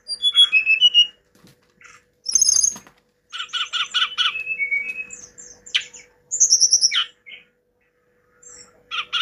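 Hill blue flycatcher giving high, sweet whistled phrases mixed with quick rattling trills and downslurred notes, in bursts every second or two, over a faint steady hum.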